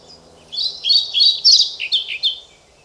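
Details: European pied flycatcher song: a single phrase of about two seconds made of bright, high, alternating whistled notes that rise and dip in quick succession, fading out cleanly against quiet background hum.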